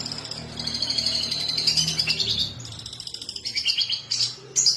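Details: Long-tailed shrike singing, used to prompt other birds into song: a sustained, busy high warble with mimic-like twitters and abrupt sharp notes near the end, over a low background hum.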